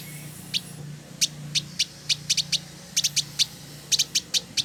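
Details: Village indigobird male from West Java, Indonesia, a tutor bird singing actively. Crisp, high, ticking chirps repeat quickly and somewhat irregularly, sometimes in pairs, over a faint low hum.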